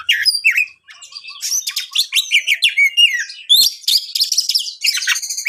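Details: Oriental magpie-robin (kacer), a champion singer, delivering song used to make other magpie-robins agitated: a long, rich medley of ringing whistles, harsh chattering notes, and quick repeated clicks, briefly pausing near one second.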